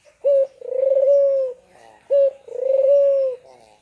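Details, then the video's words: Barbary dove lure for silent caged birds: two phrases, each a brief loud note followed by a long rolling coo, spaced about two seconds apart. "Burung puter gacor"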